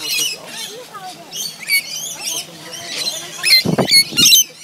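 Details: A flock of wild rainbow lorikeets at a staff-provided feeding at Lone Pine Koala Sanctuary gives shrill screeches and chattering squawks in quick, uneven overlapping bursts, with people talking faintly underneath.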